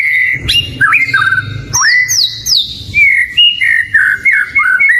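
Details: Oriental magpie-robin, locally kacer, singing energetically as a bait song to prompt other birds. A steady high whistle, then sliding notes and loud rising-falling whistles, ending in quick looping phrases. A low rumble sits underneath.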